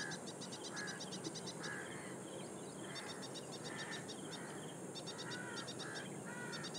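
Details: Ashy prinia calling loudly in reed beds at Powai Lake, IIT Bombay, Mumbai, on 1 October 2022: quick bursts of high, clipped repeated notes, several phrases close together, over lower mellow calls from other birds and a steady hiss.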